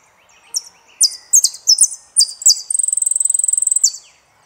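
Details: Song of a saffron finch from Argentina: a string of piercing, downward-slurred chirps gathering pace, then a fast, level, metallic trill lasting over a second, finished with one dropping note. Faint soft sounds below.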